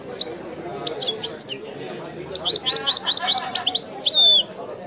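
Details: European goldfinch in authentic Widani song, a lively, continuous twittering of high tinkling notes, quick trills and drawn-out bright whistles, over faint low background noise.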